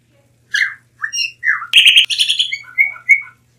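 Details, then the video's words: Blue mockingbird (Melanotis caerulescens), a species endemic to Mexico, sings a varied run of phrases: rich slurred whistles, a harsh buzzy burst, then clear high notes, about five phrases in three seconds. "Mulato Azul Canto - Blue Mockingbird Bird Song"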